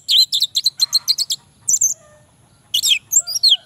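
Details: Male orange-headed thrush song used as a lure to prompt lazy males to sing: rapid bursts of high, sharp chirped notes in quick series, a pause, then further bright whistled and trilled phrases.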